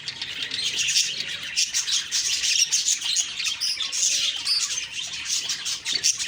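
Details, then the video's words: October 2, 2023, morning: budgies chirp and warble at once, a constant high-pitched babble punctuated by quick sharp clicks and squeaks rising and falling in volume. "Beautiful morning birds chirping sounds/Budgie sounds"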